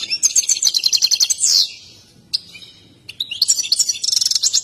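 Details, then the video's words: European goldfinch in an excited state, dancing as it sings, gives fast high twittering trills with a buzzy slurred phrase, a near-silent gap with a lone note, then another burst of rapid tinkling notes. "تغريد حسون هائج مع اجمل الرقصة"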